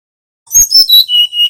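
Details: Nyuling-style song of a Bali brown-chested jungle flycatcher used to lure and teach young birds: two clicky notes followed by a smooth falling series of pure whistles settling on a long high tone.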